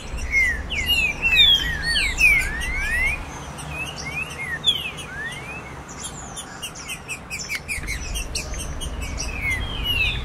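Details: Green-winged saltators (trinca-ferro) sing rich, loud whistled phrases of slurred rising and falling notes, several birds overlapping, with high chips and a low rumble behind; meant to excite a captive male.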